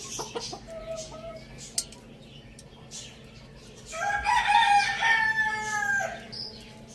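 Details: Rooster on a village farm, eating spinach beside a hen, lets out one long hoarse cock-a-doodle-doo of about one and a half seconds after quiet clucking and a few soft notes.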